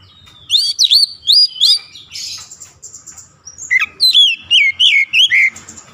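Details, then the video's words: Bright whistled song of an oriental magpie-robin, used to encourage lazy birds to sing: quick series of slurred notes, a buzzy trill in the middle, then another run of sharp descending whistles. "KICAUAN SUARA TAJAM JERNIH PEMULIH AMPUH KACER MALAS BUNYI"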